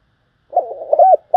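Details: Spotted dove, used as a trapping lure, giving a brief low rolling burble that rises into an arched coo, with another coo beginning at the end.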